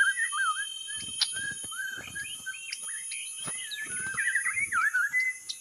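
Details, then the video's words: White-rumped shama used as a lure, singing wavering looped whistles that start low and grow busier and louder toward the end, with scattered clicks between phrases. "Pikat burung murai batu"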